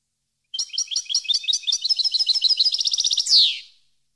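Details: European goldfinch, a training track for captive birds; a lively string of high twittered notes accelerating into a fast trill, ending in a loud rasping descending buzz, with no other sounds.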